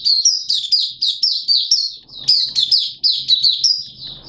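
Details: Malaysian Oriental white-eye kept as a hobby songbird, giving a continuous stream of bright, high descending whistles, closely spaced and slightly buzzy, with a short pause midway before the chatter resumes.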